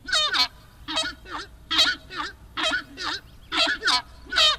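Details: Horned screamer giving loud goose-like honking song, mostly in paired notes about a second apart. Each note is harsh and nasal with a low looping undertone.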